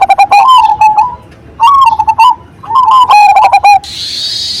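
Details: Loud Cemani Majapahit zebra dove singing three close phrases of staccato notes melting into rolling coos, before a cicada drone takes over at the end.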